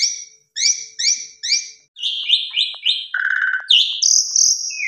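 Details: Full pumping lure song from an Asian pied starling: four quick repeated paired chirps, a run of buzzy mid-pitched notes, a low rattling trill, then a sustained bright high whistle.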